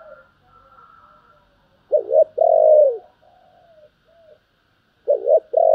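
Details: Spotted dove singing in the styles called gáy thúc and gáy gọi: low hollow cooing phrases, a quick doubled coo followed by a longer drawn-out coo that dips at its end, repeated after a pause, with faint softer sounds in between.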